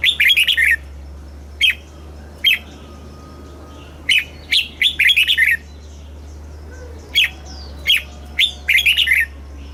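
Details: Red-whiskered bulbul kept in a cage in Thailand delivers a southern master-style song for training young birds and exciting others: lively, repeated warbled phrases and single sharp chirps spaced through the recording, with a constant low hum.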